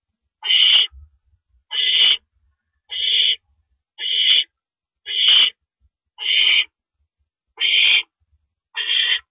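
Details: Owl at the nest shortly after 1 AM on 6 April 2012, as the male delivers a rabbit as prey: harsh, hissing screeches of about half a second, repeated roughly once a second, eight in a row, in quiet night air.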